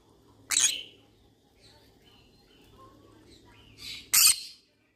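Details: A yellow-sided conure wanting company lets out a sudden harsh squawk, then soft whistled and chattering notes, ending in a second loud rasping screech.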